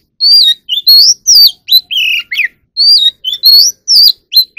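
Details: Magpie robin trained for competitive singing, caged: loud, rich song of short whistled and slurred notes, swooping up and down, delivered in rapid bursts with brief gaps, a phrase pattern repeating after about two and a half seconds.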